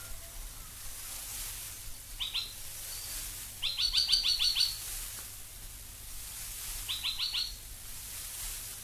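Australian Logrunner giving three bursts of rapid, sharp, high notes, the longest about a second of quick repeats, over a low steady hum.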